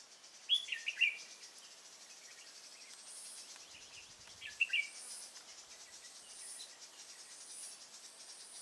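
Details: Red-whiskered bulbul recorded while being trapped with a decoy bird, Nuông Dăm, 6 May 2018: two brief, lively phrases of sharp whistled notes a few seconds apart, set against a constant shrill insect buzz.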